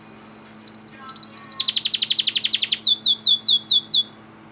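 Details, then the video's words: Timbrado Español canary recorded in August 2020, singing a varied phrase: a thin high note, then a fast metallic trill of rapid pulses, ending in six slower, evenly spaced descending whistles. "Timbrado Canary August 2020"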